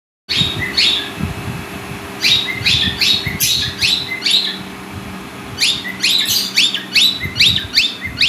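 Cockatiels give bright, chirpy calls in quick bursts, each note a sharp rising-and-falling tweet.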